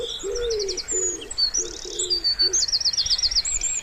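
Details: Soft low coos of a wood pigeon near a pond in spring, a few drawn-out notes then pausing, as other birds add bright rapid trills and whistles.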